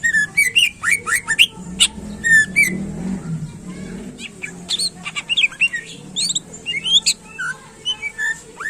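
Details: Greater green leafbird in busy song used to excite competing birds: dense, varied chirps, slurred whistles and sharp ticks, with a soft low rumble in the background.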